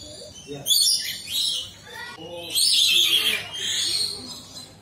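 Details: Lories being fed in the Lory Loft aviary at Jurong Bird Park, Singapore: harsh, high, rasping screeches in overlapping bursts, loudest near the start and middle, with people talking quietly in between.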